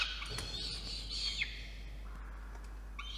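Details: A peregrine falcon chick is fed by the male at its nest box high on a water tower in Orange, NSW, Australia, evening of 5 November 2021; a brief scratchy screech falls away, then faint softer calls follow.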